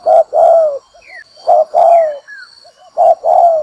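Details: Spotted dove used as a trapping lure, uttering low coos in couplets, a quick note and a longer sliding one, about every second and a half, with soft twittering and quiet chirps between.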